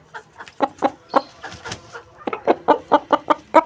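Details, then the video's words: Aseel rooster, also called Asil, giving a run of short, repeated clucks, roughly two per second, with a brief pause in the middle before the pulses resume more evenly. "Aseel Murga Ki Awaaz Compilation Asil Rooster Crowing Sound Effect"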